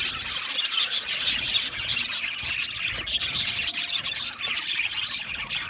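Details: Group of male budgerigars, recorded 8 December 2025, keeping up steady high-pitched warbling chatter with scattered sharper squeaks standing out, a continuous busy flock noise.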